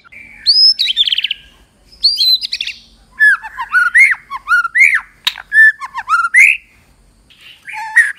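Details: ['Female white-rumped shama vocalizing to excite males into full song, said to make newly caught birds sing at once. Loud, varied chirping phrases mixing rising whistled slurs with rapid harsh rattling notes, given in bursts separated by short pauses.']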